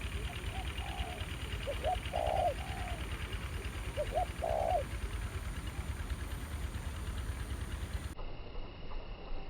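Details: Spotted dove at a ground decoy trapping site, revisited after more than a year, with a fairly aggressive new wild bird. A few low, hollow coo phrases come in the first five seconds over steady rumbling background noise, then fade out.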